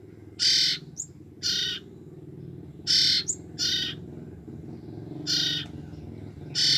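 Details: Two-week-old young common ioras, siblings, whose calls are used to lure the parent birds: harsh, buzzy, rasping bursts of about a third of a second, repeated irregularly every one to two seconds, with brief thin high notes between, over a low steady hum.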